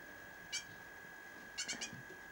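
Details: A rescued great tit fledgling gives one harsh, buzzy begging note, then a quick run of three more, over a steady high-pitched whine.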